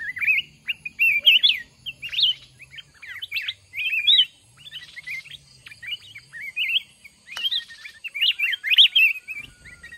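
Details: Mountain red-whiskered bulbul trapped in a fighting contest against a decoy caged one month: nearly continuous sequence of short, bouncy whistled phrases, each a quick rise and fall, with a brief click near the end.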